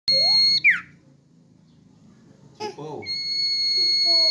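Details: Common iora held in the hand, singing vigorously: a long steady whistle with a bright overtone ending in a quick downward slur, then a short murmur of lower sounds and a second long level whistle starting.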